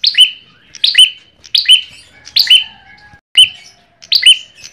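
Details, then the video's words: Ashy tailorbird song played as a lure, with six emphatic high notes. Each is a sharp falling stroke ending in a level whistle, spaced about 0.8 seconds apart, with faint lower tonal sounds in between. "pancingan perenjak kepala merah"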